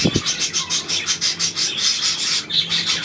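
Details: Budgerigar calls recorded 9 February 2024: rhythmic, pulsing chatter with rapid raspy bursts about four per second, opening with two low thumps before the high twittering settles in.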